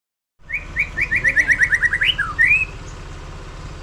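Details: White-rumped shama singing profusely: a quick run of about ten short clear whistled notes rising in pitch, then a swooping upward whistle and a final trilled phrase, over a steady low hum.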